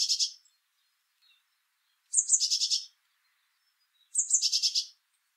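Eurasian blue tit giving three high phrases about two seconds apart: thin opening notes that drop into a fast, slightly buzzy trill. Quiet background otherwise.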